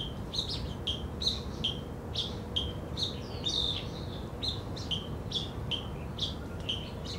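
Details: Black bulbul at Zhiben forest recreation area in Taitung, Taiwan, on 3 July 2013, giving a steady series of clipped, high squeaky chirps roughly every half second over a constant low rumble.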